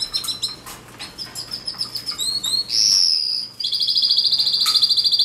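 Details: Canary giving short chirps and doubled whistles, a loud smooth sustained note, then a fast even rolling trill to the end.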